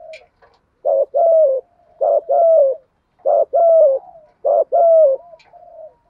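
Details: Spotted dove coos used to lure wild doves, a compilation of dove voices: four even phrases, each a short clipped note then a longer hoarse falling coo, repeated about every second and a quarter with brief soft notes between.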